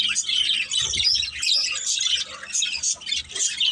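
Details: Budgerigars in a playing family group mix rapid high chirps with harsher squawky notes and warbling twitter, the chatter easing slightly midway before picking up again.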